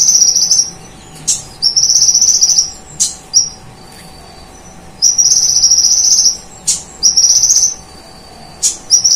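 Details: Konin (kolibri ninja) sunbird in energetic full song with imitations of cililin bird and golden grasshopper, a master recording: long high-pitched rattling trills alternating with sharp upward flicks and a faint thin whistle.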